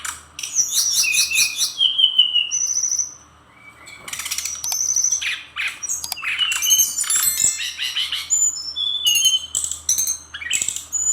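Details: Captive brown-chested jungle flycatcher of Bali type in lively song with filler phrases: quick repeated slurred notes and a rattling trill, a short pause, then dense mixed chirps, sharp high shots and thin whistles.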